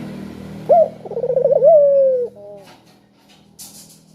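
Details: Spotted dove with a melodious, piercing voice, used to stimulate other doves to call. It gives one phrase: a clipped upslurred note, a quick rolling series of pulses, then a long falling coo. A low hum and faint brief chirps follow.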